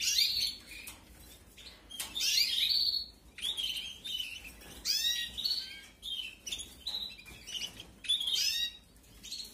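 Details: Young canaries calling as they are fed during the 2021 breeding season: rasping, high-pitched chirps delivered in short, irregular bursts about every second or two, some notes falling steeply in pitch, with brief pauses between.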